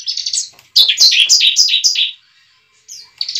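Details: Fighting song of a bar-winged prinia, a lure for a young bird: a short trill, then a fast run of five or six loud downslurred chips, a pause, and another brief trill.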